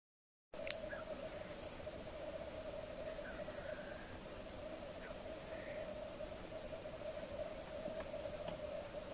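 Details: Black grouse bubbling at a lek on an April morning in Svartådalen, Västmanland, Sweden: a steady, low, dove-like rolling coo runs unbroken throughout, with a few faint higher bird notes behind it.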